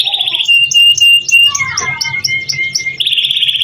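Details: Canary in full 'gacor' song, used as a 'pancingan' to prompt other canaries to sing: a buzzy trill, then a long level whistle under fast repeated high chips, with tumbling descending notes, ending in another buzzy trill.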